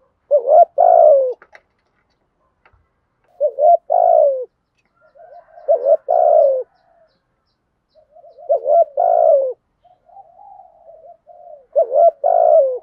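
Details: Spotted dove kept as a decoy, repeating its urging coo in earthy voice style; mellow low two-part coo phrases recur roughly every two to three seconds, with soft connecting notes, no other sounds.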